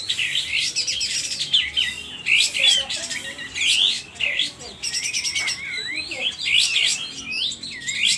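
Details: Sooty-headed bulbul of Aceh origin in an agitated state, tail fanned, singing loudly: fast bursts of bright, high twittering notes and quick slurred whistles, repeated in clusters through the whole stretch.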